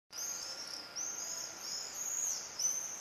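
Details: Common swifts, described as bangers, inspecting nest boxes in Leuven on 4 July 2015, recorded from a living room: shrill, buzzy, high-pitched screams in overlapping trills, with a faint steady hum underneath.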